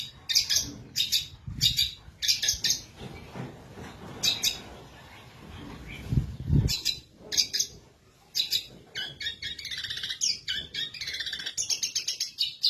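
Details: Caged Indonesian long-tailed shrike, cover just lifted, delivering long tutor-style song phrases: scratchy high chips in spaced groups, a quieter stretch with a low thud, then a long unbroken run of rapid, buzzy twitters.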